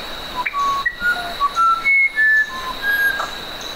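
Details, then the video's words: Musician wren giving a slow phrase of clear, drawn-out whistles at several different pitches, each held about a quarter second, over a constant thin high hum. "SONIDOS del CUCARACHERO MUSICAL"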